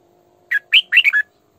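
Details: Female decoy red-whiskered bulbul singing in the full-throated sổ bọng căng style, used to lure wild bulbuls and train them to sing: a short burst of five clear, whistled, chirping notes, falling and rising, over quiet.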